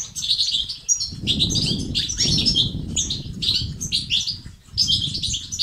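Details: European goldfinch twittering in batbata and sastasat styles, played to spur males into song and activity; lively high chirps and liquid trills come in bursts, with a strong low rumble in the background.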